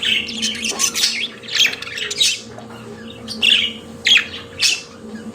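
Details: Pet budgerigars chattering: harsh scratchy squawks and squeaky chirps in clustered bursts with short pauses, a steady low hum in the background.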